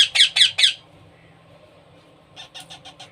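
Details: Baby parrot being hand-fed, giving four loud rasping squawks in quick succession, a pause, then a softer run of short harsh calls.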